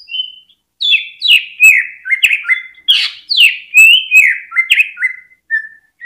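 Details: Greater green leafbird song used to set other caged birds singing; a steady stream of loud, sharply downslurred whistles and stepped notes with crisp clicks, several per second.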